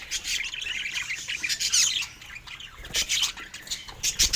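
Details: Budgerigars in lively chirping, an unbroken flurry of high, bright, scratchy twitters rising and falling in loudness.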